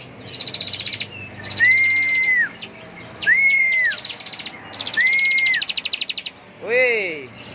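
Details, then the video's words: Bar-winged prinia singing in the rapid trilling ngebren style at full power: bursts of fast, high buzzy pulses alternate with three clear, level whistled notes that rise and fall at the ends, closing with a descending sweep. "Dasyatnya Ciblek gacor NGEBREN suara penuh emosi tembakan full power"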